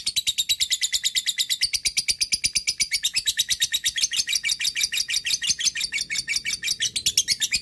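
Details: Lovebird long ngekek chatter, calling a rival as a lure: a sustained, fast run of harsh high chirps, roughly six a second, unbroken throughout with slight changes in tone.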